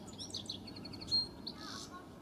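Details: A lone European goldfinch, nibbling a stub, sings fully on an early spring day in the Kennemer Dunes, Zuid-Kennemerland National Park, Netherlands: a very high, busy babbling song of quick tinkling notes, twitters and high pitpitpit sounds; European goldfinch.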